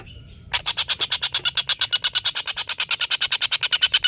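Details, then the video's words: Collared kingfisher in full long laughing call, used to tutor competition birds. The call starts abruptly into a fast, even series of harsh, grating notes, roughly seven per second, and holds them to the end. "tengkek buto ngekek panjang"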